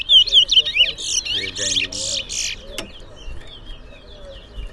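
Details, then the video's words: Seed finch (towa towa) at a Berbice singing competition: a quick run of clear whistled notes, then harsh buzzy bursts for about a second and a half, a sharp knock, and softer twittering with murmured voices. "Towa Towa Bird Singing Competition"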